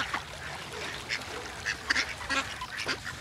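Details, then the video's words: A flock of ducks swimming on open water and calling together, with great white pelicans nearby; a busy run of short nasal quacks overlapping at irregular intervals over a faint background hiss. "It's nice to see a lot of ducks swimming together and it's nice when they sound together"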